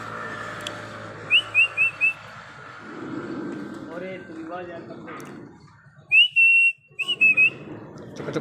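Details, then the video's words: Pet parrot talking indoors: short bright whistled notes in a quick run of four, muffled speech-like babble, then a louder burst of clear whistles, with a steady low hum behind. "parrot 🐦🦜🐦🦜🦜🦜🐦 Talking"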